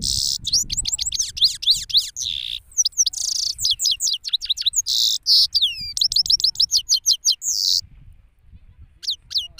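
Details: ['Male goldfinch in open surroundings in Pakistan, singing a long, lively twitter of rapid slurred high notes with bursts of harsh buzzy rattles and short pauses between phrases.']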